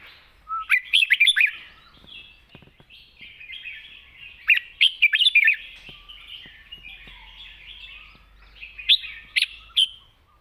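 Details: Red-whiskered bulbul delivering a wild-style song of long, light phrases: three bubbly warbled bursts of rapid rising and falling whistles, roughly four seconds apart, with faint clicks and hiss in between.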